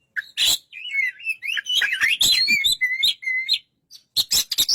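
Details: White-rumped shama pouring out a tangled sequence of whistled slurs and chirps, followed by a pause and a few harsh notes.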